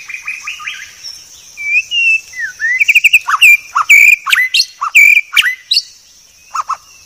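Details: White-rumped shama singing a clear 'masteran' training song: varied whistled phrases with slurred notes, sharp high clicks and chips between 3 and 4 seconds, then two short low notes near the end.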